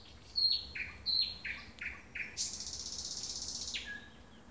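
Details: Thrush nightingale singing at 3am: two loud, high whistles with falling tails, a run of shorter descending notes, then a fast, buzzy rattle lasting over a second, closing on a lower note.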